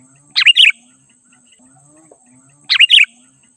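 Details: Sooty-headed bulbul song used to lure wild bulbuls closer: two short bursts, each a quick rising note followed by a bubbly warbled phrase, about two seconds apart over a quiet background.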